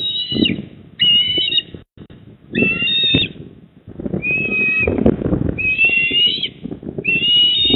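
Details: Eastern osprey at its nest in Port Lincoln, South Australia, on the evening of 28 October 2024 at 19:26. Six harsh, whistled, flat calls, each about half a second, come in uneven bursts over steady low wind rumble.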